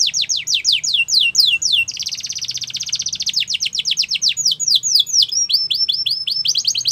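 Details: Yellow canary in song in the wild: rapid falling whistled sweeps, a buzzy rattling roll, then more quick sweeps and thin high notes, continuous throughout.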